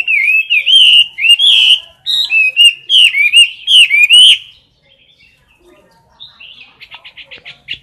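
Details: Close-range competition singing from a caged Chinese hwamei: strong, looping whistled phrases repeated about once per second for four seconds, then silence and a short run of fast, soft, even notes.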